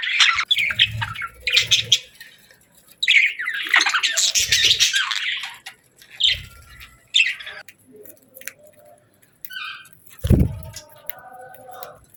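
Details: Bursts of parakeet chirping in summer: busy scratchy warbling in short spells separated by quiet gaps, a brief whistled note, and several low thumps between the bursts.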